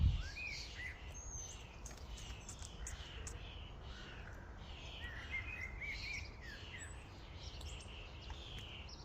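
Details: Flock of common starlings at a feeding station, a busy overlapping chatter of short chirps, whistles and rasping notes with one bright whistled phrase near the middle, over a steady low rumble of background noise.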